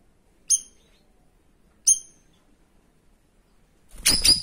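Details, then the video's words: Two isolated sharp high notes from a cream-striped bulbul in 'tembakan' style, then a loud harsh burst of noise at the end. "TEMBAKANNYA SADIS SAMPAI MAU SOBEK MULUT BURUNG INI"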